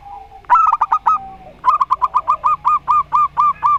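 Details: A brief run of zebra dove coos, then a longer even series of about a dozen clipped notes at a steady rapid beat. The local Rondo Semoyo style bird sings against an odd-voiced dove.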